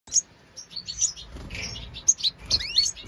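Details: European goldfinch of the 'Major' type at its nest, giving quick bursts of high, thin twittering chirps with sharp rising and falling slurred notes, tumbling irregularly over three seconds amid faint low background rumble.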